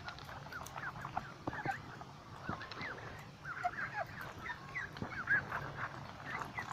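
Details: Lakeside flock of ducks calling continuously: many short, nasal, bending notes overlap in a busy chatter, with occasional sharper calls rising above the rest, over low rumbling noise.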